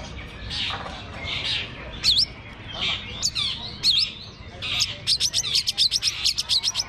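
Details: At a bird singing contest, long-tailed shrikes perched on hanging stands give scratchy chatter, then sharp V-shaped whistled notes, ending in a fast run of about ten clipped high chirps.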